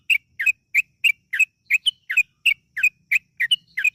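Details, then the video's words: Yellow-vented bulbul singing to lure other birds into song: evenly spaced bright double-noted chirps, about three per second, steady throughout. "PANCINGAN TRUCUKAN AGAR BUNYI burung TRUCUKAN GACOR ROPEL PANJANG"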